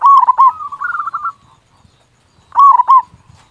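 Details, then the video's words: Song of a local zebra dove with a big voice, used to spur other doves to sing: a soft coo running into a rippling trill, silence, then a new phrase of two rolling coos. "Perkutut Lokal Gacor Suara Besar Pancingan Burung Perkutut Agar Cepat Bunyi."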